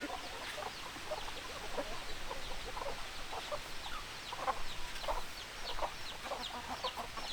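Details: Chickens, a flock of hens, clucking steadily: many short, overlapping clucks and brief squawky notes burst out every fraction of a second over a continuous low rumble of background noise.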